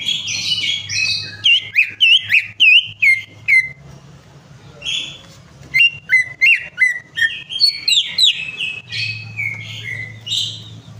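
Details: Greater green leafbird in lively song to prompt a silent bird: rapid strings of sharp, swooping whistles in two long bursts, separated by a brief softer warbling passage.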